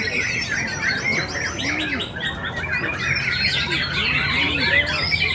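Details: Young white-rumped shama (murai batu) singing at the Umi Kasum Cup 4 songbird competition: fast, rich high whistles, chatters and sweeping trills, overlapping other competing songbirds, over a low crowd murmur.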